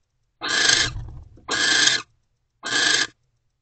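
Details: Owls in a nest box during mating, 20 January 2024: three raspy, breathy screeches, the first longer and trailing off, the others short and evenly spaced.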